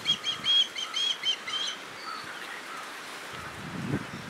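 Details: Recently fledged young Osprey begging its father for food, parents withholding fish to push fledglings to hunt; rapid run of high whistled chirps for under two seconds, then fainter single whistles and a low rustle.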